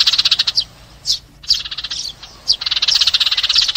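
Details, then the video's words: Sparrow calling to gather the flock, a call used to lure birds into traps. Dense, high, rapid chirps tumble in bursts. Short gaps break the chatter near the first and second seconds, then it resumes in a quick, steady run. "TIẾNG CHIM SẺ GOI ĐÀN DÙNG ĐỂ BẪY"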